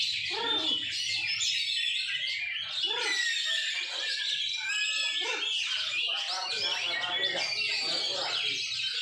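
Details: White-rumped shama at a training session on a bird-song contest field, with a contest judge present; dense, varied, rapid high warbling and chattering song runs continuously, mixed with human voices and low murmur.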